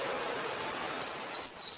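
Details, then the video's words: Finch singing: a short phrase of high, thin, sweeping whistles, several downslurred notes in quick succession over about a second, clear and loud against quiet background. "Bird Finch/Emprit Singing Power"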